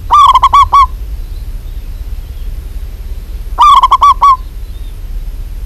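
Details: Local zebra dove female calling a male repeats a phrase of about six rapid, rolling coos twice, roughly three seconds apart, with quiet background hum between.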